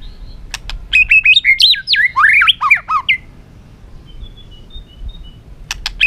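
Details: Caged white-rumped shama, spurred to sing competitively: a dense burst of fast jumbled whistles and chatter for about two seconds, then soft high notes and sharp clicks.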